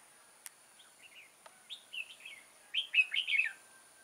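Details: Decoy red-whiskered bulbul singing during a bulbul trapping session on 6 October 2018: soft, quick warbled notes build into a louder, tumbling chattering phrase, with a few clicks and a faint constant high tone.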